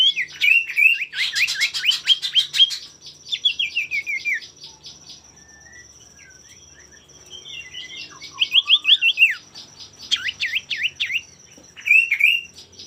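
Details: Male common iora singing as a lure to provoke rivals into song: clear whistled notes sliding around, a fast high rattling trill, then more rising and falling whistles, with a steady thin high electronic tone throughout.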